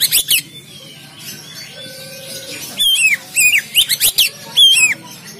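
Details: Oriental magpie-robin from Pemalang, Indonesia, in energetic full song: a burst of harsh notes, then a series of clear whistled notes, each swooping up and then down, given in quick succession after a quiet pause, over a faint low hum.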